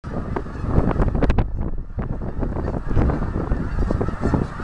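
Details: About 150 Canada geese take off to migrate on a cold late-November morning over a campus. Dense, overlapping loud honks in a steady chorus, with rushing broadband noise from wind or wings throughout.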